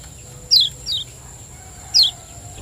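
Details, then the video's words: Lemon-bellied white-eye from Lombok, a lure recording meant to stimulate caged birds to sing; three short high descending chirps at about half-second spacing, then a pause, with a steady high whine in the background. "Ciak Joss Kecial Kuning Gacor • Cepat Rangsang Bunyi Pancingan Kecial Kuning Lombok Juara"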